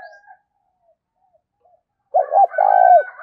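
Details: Decoy spotted dove giving its luring thúc and gáy gọi call for training birds: after near silence, a quick pair of low hollow notes and a longer vibrating coo that dips at the end, with a fainter bird behind.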